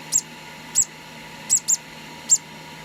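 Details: Tiny squeaks from a hand-fed conure chick aged two days: five high, sharp peeps, two of them close together as a quick double, over a faint steady hum.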